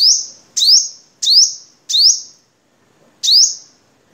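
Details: Crimson sunbird (Vietnam variety) giving a master song for cage-bird training: four piercing rising chirps about half a second apart, a short gap, then one more, with no other sounds.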